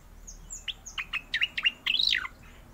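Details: A captive Oriental magpie-robin in full song gives a fast rolling phrase of high thin whistles, sharp chips and a rising-then-falling slurred note, under two seconds; Oriental magpie-robin song.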